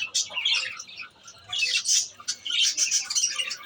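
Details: Pet lovebirds chirping in a dense, high-pitched chatter, with bursts of sharp tweets and squeaks rising and falling in loudness and short quieter gaps between outbursts.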